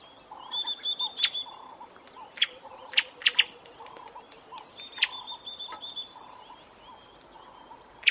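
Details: A bird sounds a high buzzy trill with sharp snapping chips, while a lower, softer note repeats steadily about every half second underneath, all over faint outdoor background noise.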